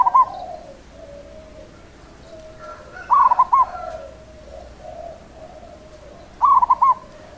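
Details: Song of a local perkutut, or zebra dove, in the seni irama rhythm style. Three loud stuttered coo phrases of quick pulsing notes come roughly every three seconds, with a soft murmuring tone between them.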